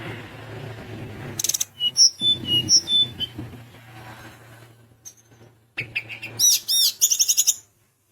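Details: Sunda minivet, described as a frequent singer. It gives high whistled notes in short groups, then a dense burst of rapid, ringing, upslurred notes. A steady low hum sits underneath, and the sound breaks off abruptly.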